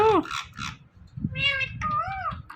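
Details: Indian ringneck parrot kept as a talking pet utters several word-like harmonic calls, nasal and meow-like, with bending pitch, separated by short pauses.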